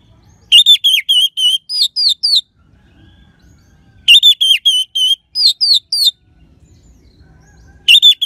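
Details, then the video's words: Bursts of the orange-headed thrush's crisp, crystal-toned song, played to prompt sluggish birds to sing: rapid runs of sweet whistled notes with sharp upward slurs, repeated in phrases about every three and a half seconds with pauses between. "Gacornya ANIS MERAH Suara Kristal Bagus Untuk Pancingan Burung Lemas ataupun Macet Dijamin Ngelawan."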